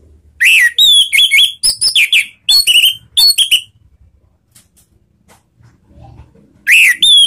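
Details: Orange-headed thrush (anis merah) lure song, the Indonesian ngeplong and ngeriwik style, used to trigger other thrushes into singing: bursts of loud whistled and slurred notes, some rising, mixed with sharp chirps, a pause, then another burst.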